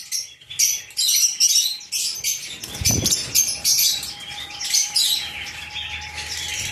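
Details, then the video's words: Lovebirds calling in sharp, squeaky bursts of high chatter, separated by short gaps, with wing flutters and a low thump around the middle. "love birds"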